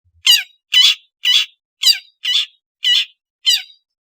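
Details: Long-tailed shrike uttering seven harsh, grating squawks, each broad and rasping, delivered roughly twice per second at a fairly even pace, loud and close with a quiet background.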